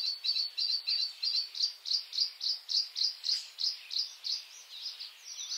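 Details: White-spotted bluethroat, Luscinia svecica cyanecula, in May: a steady string of short high notes repeated about three times a second over a hissing background.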